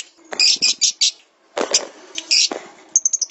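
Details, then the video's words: Lovebird song from a master recording for training songbirds: bursts of harsh, high chattering notes in two groups separated by a short pause, ending in a quick series of thin, sharp chips. "SUARA BURUNG - Masteran Terbaik Love Bird"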